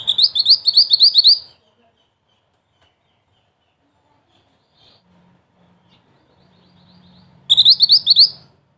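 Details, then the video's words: Mantenan, black and red, prized for a spicy 'ngerol tembak' style voice, sings two quick bursts of high, sharp trilled notes roughly six seconds apart, with near-silence and a faint low hum between them. "Mantenan Mungil Cantik Dengan Suara Pedas"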